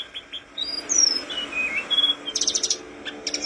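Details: Flowerpecker (mountain 'tledekan'), a lively singer kept for song training: thin, high whistled notes sliding up and down, then a rapid dry ticking burst of repeated clicks, with a faint steady hum beneath.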